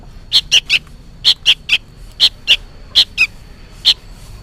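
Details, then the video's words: Juvenile sooty-headed bulbul loudly begging from its parent: clusters of two or three rasping chirps, about eleven notes in under five seconds, rhythm uneven. "suara burung kutilang anakan gacor ribut seperti memanggil induknya"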